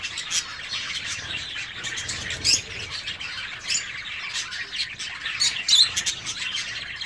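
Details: Zebra finches calling in an aviary, a steady chorus of overlapping short nasal notes with occasional louder, sharper calls near the microphone.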